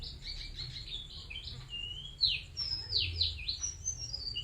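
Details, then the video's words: White-eye of the bustomi type, a bird offered for sale, singing vigorously: a busy run of high, thin chirps and slurred whistles. Some notes sweep down sharply and some glide upward, with a faint low hum beneath. "Burung Pleci Bustomi Gacor"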